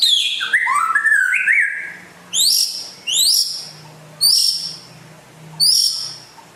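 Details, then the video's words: Rare white-rumped shama from West Aceh singing: a descending-then-stepped whistled phrase followed by four loud sharply rising upslurred notes spaced about one second apart. "Kicau Burung Murai Asal Aceh Barat Langka Gacor Jos"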